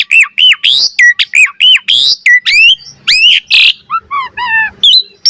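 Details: Asian pied starling master song meant to train caged birds, full of varied filler phrases: arched whistles, rising buzzy notes, a harsh burst, then a run of falling chirps and short whistles.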